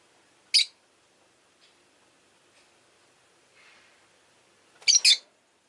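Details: Pet rosy-faced lovebird with one piercing chirp, a quiet spell of faint noises, then a quick doubled harsh chirp near the end.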